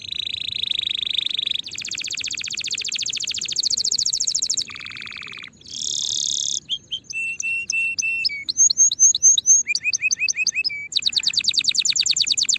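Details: Canary song meant for training young birds ahead of the coming season, a varied sequence: long dense rattling trills, a lower buzzy roll, then paired sharp whistled notes alternating high and low, and closing with rapid descending sweeps.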